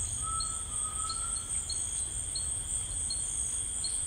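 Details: Grey Tinamou in rainforest: a fairly faint, drawn-out whistle lasting over a second and rising slightly. Short high chirps repeat through the clip against a steady insect buzz.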